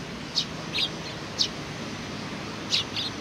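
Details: Sparrows giving greeting chirps on 27 July 2020: a few soft, high chirps, some doubled, spaced by about a second, fairly quiet over a noticeable low background rumble.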